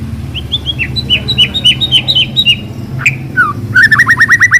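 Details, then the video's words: Lure recording of a white-rumped shama to prompt a shama into quick, free song: paired descending whistles repeated about every quarter second, a sharp downward slur, then a rapid rattling train of looping notes over a steady low hum. "Pancingan suara burung murai batu agar cepat bunyi dan ngeplong"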